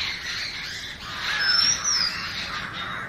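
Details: Oriental magpie-robin with a single long, high whistled phrase that rises then slides down, heard over a continuous background of noisy, lower bird chatter.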